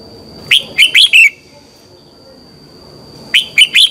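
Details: Morning song of a red-whiskered bulbul, recorded as a lure for training birds: two short phrases of three to four loud, clear, slurred whistles with a quiet pause between them. A thin constant high tone runs underneath.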